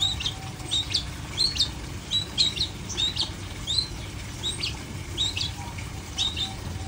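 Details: Long-tailed shrike without cage cover and without flipping delivers a steady series of short high chirps and slurred whistles, repeated about twice a second over a low hum.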